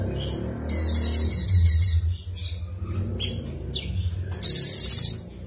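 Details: A cucak cungkok bulbul singing hard, used as a training call, gives bursts of harsh, high chattering notes in quick runs, over a steady low hum or background music.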